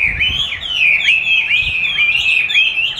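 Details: Chinese hwamei singing against playback of its own song during training; a loud, continuous run of looping whistled notes that swoop up and down in quick succession.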